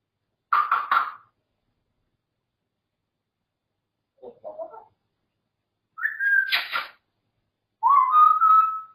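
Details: Grey parrot kept as a pet gives a harsh buzzy burst, a soft muttered note, then a clear whistle ending in a rasp and a rising, steady whistled tone, separated by quiet gaps.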